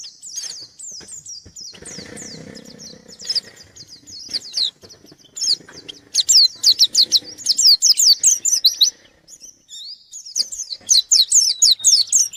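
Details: White-eye singing while challenging a rival: rapid series of high, slurred chirps and downward-sweeping notes, broken by a softer scratchy patch, then bursts of loud repeated sweeps.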